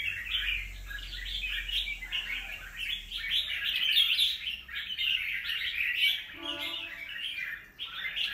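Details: Red-whiskered bulbul, a wild-caught bird two moults old, giving lively repeated bursts of quick whistled chirps, with a low steady tonal hum around six to seven seconds.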